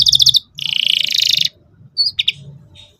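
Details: Canary singing in the cuit cuit style as a learning model for young canaries: a short trill, then a loud dense buzzy rattle, followed by a few isolated sharp chirps over faint low background noise.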